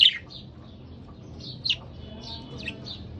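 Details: A pair of pet budgerigars: one strong chirp at the start, then soft warbling notes and a sharper chirp midway, fairly quiet overall.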